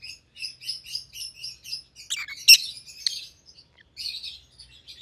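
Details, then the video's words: Two domestic rosy-faced lovebirds of white-headed opaline mutation: a run of evenly repeated soft twittering notes, then loud harsh chirps and buzzy chatter. "Rosy-Faced Lovebirds - Chirping and Call Sounds"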